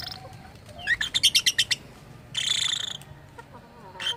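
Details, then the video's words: Lovebird making odd sounds, said to imitate a human voice: a quick burst of about seven bright chirps, then a harsh buzzy rasp and a final short squawk. "Burung Love Bird bersuara aneh"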